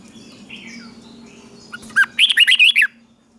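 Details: A red-whiskered bulbul in morning song training for competition singing delivers a single lively phrase of about six quick, rising-and-falling whistled notes after a few soft introductory chirps, over a low background hum.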